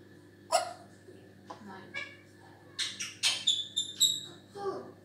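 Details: African grey parrot indoors making a mix of sharp, harsh squawks and clicks with a few higher whistled notes. They come in an uneven burst toward the end, over a constant low hum.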